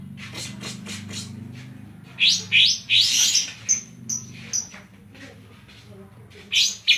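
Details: Greater green leafbird (cucak ijo) from Banyuwangi singing a song filled with kapas tembak phrases: bursts of rapid, sweeping high chirps, then a few short scattered notes and a final chirpy burst, over a steady low hum.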